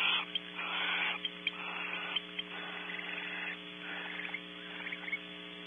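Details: Barn owls at a nest cavity on a ranch in California, a pair that fly in and bond while the male passes food and the female eats; repeated breathy hissing screeches over a steady electrical hum.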